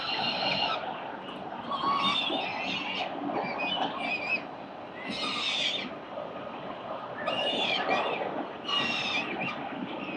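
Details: Four peregrine falcon chicks at their morning feeding on a city building nest, 4 November 2021. Harsh, raspy screeching bursts come at irregular intervals, overlapping with a steady background hum.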